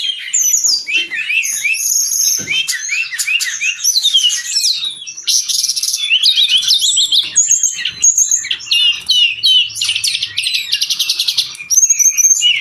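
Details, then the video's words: Brown-chested jungle flycatcher, a cage bird singing vigorously as a model for training other birds: a rich, rapid run of whistled slurs, mimic-like chips and dense buzzy trills, almost continuous for over twelve seconds. "Suara burung sikatan rimba"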